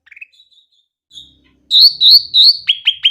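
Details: Clear grey-cheeked bulbul song, played to prompt hesitant bulbuls to sing. A few faint notes, then three loud sustained high whistles followed by quick downward-swept strokes.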